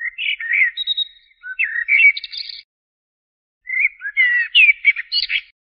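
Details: Common blackbird (Turdus merula) delivering two dense, varied phrases of fluted whistles mixed with chattering, higher-pitched notes, separated by about a second of silence.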